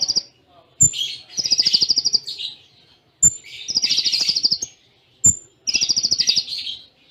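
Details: Konin song in the Cililin style with short pauses: three phrases, each a thin high whistled note followed by a rapid pulsed buzzy trill, spaced about two seconds apart.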